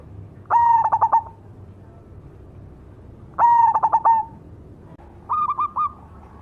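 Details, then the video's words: Cemani zebra dove song: two full cooing phrases, a long soft note breaking into rapid stuttered coos, then a shorter, slightly higher series of clipped coos; faint low rumble underneath. "suara burung berkutut cemani gacor mangung"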